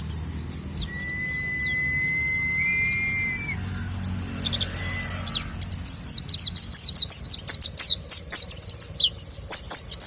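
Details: Pleci, or Oriental white-eye, singing: scattered high thin notes at first over a steady low whistle-like tone, then from mid-way a dense, rapid series of sharp sweeping whistles, quickening and louder.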